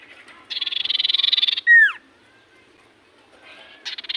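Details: Common iora in full voice, its song said to make other ioras respond: a rapid buzzy rattle lasting about a second, a loud downward-sliding whistle, a pause, then a softer trill starting again.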